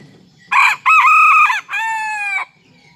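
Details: Serama junglefowl crowing in the morning while perched on a hand outside its cage: three loud, ringing harmonic segments, a short first syllable, a sustained middle, and a slightly lower drawn-out final note.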